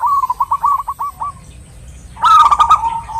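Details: Local perkutut, or zebra dove, a female calling a male: a quick series of short, rolling coo notes that fade, then a louder, richer, buzzier phrase after a brief silence.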